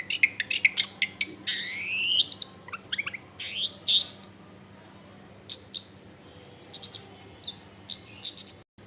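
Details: Long-tailed shrike song played to make other shrikes respond, recorded in a crowded neighbourhood: rapid high chirps and repeated rising sweeps, then a pause and a run of short whistled notes, with a low hum behind.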